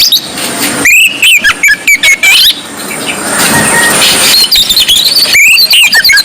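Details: Oriental magpie-robin, Kacer Poci form, delivering gacor ngobra song: varied loud whistles and upslurred chirps in rapid succession, interrupted midway by a noisy hissing pause before the bird resumes with rising whistled phrases.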